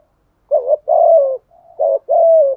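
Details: Spotted dove lure recording in the Đồng Son voice style, cooing and calling to draw in other doves: low, mellow hooting coos in four close phrases, the longer notes steady then gently falling, over a silent background.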